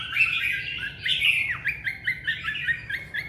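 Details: Chinese hwamei song opening with a rich warbled phrase, then a steady series of short clear whistled notes repeated about every quarter second.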